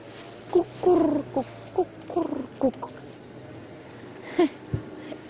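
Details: A dove gives a loose phrase of low, soft, hoarse coos, some short and some drawn out, over a steady low engine hum, on a cold, overcast morning drive; at first mistaken for an antelope's alarm bark.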